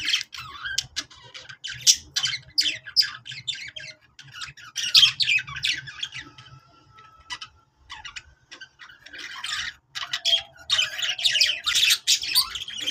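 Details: Budgies giving happy chatter to encourage others to sing: bursts of rapid squeaky and grating notes, a quieter stretch midway with a few thin whistles, then dense warbling again over a low hum.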